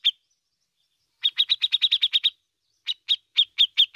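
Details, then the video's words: Bearded bulbul (cucak jenggot) in full song, used to prompt other birds: one ticking note, a fast burst of about ten bright clipped notes, then six slower, evenly spaced ticks. "CUCAK JENGGOT GACOR"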